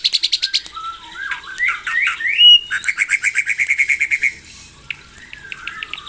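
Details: White-rumped shama singing in the morning to provoke rivals: quick whistled notes, a sweeping rising phrase, then a fast even string of sharp notes repeated about eight times a second before fading into faint chatter.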